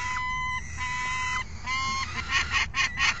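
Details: At a 3 June 2018 feeding, falcon chicks clamour as an adult feeds them food another parent delivered; drawn-out nasal wails, then a quick run of loud harsh chipping notes, low hum behind.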